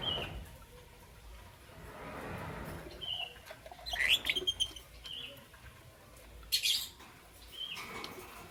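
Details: Lovebirds of green, yellow and lutino colouring chirping in the morning: a few sharp, high squeaky chirps in short bursts around the middle and later, separated by quiet stretches with a soft background hiss.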